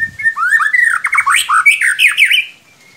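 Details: White-rumped shama song used as a lure to get another bird singing, a fast burst of loud slurred whistles, rising and falling sweeps repeated rapidly for about two and a half seconds, ending in a thin fading note.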